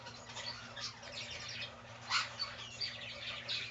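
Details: A 36-day-old cockatiel chick calling indoors: a busy run of quiet, scratchy chirps and short tweets, irregular and overlapping, with brighter notes near two seconds and again around three to three and a half seconds, over a steady low hum.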